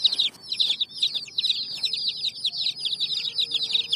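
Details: Many hen's chicks chirping together on raw bricks, a dense chorus of shrill, falling peeps without pause, over soft low rumbling.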